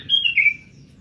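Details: A bird caught the day before, calling soon after capture: one short, high whistled note sliding slightly downward, with faint low background noise.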